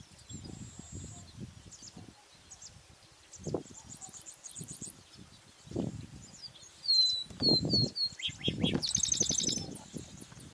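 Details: Chestnut-capped blackbird, known locally as garibaldi: bright, clipped high notes and rapid buzzy trills in the second half, with lower thumps and some background noise.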